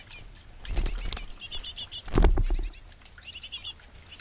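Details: At a great tit nest box where a pair feeds nestlings: bursts of rapid high chirps, with loud low rustling and thudding in the middle and a faint steady hum throughout.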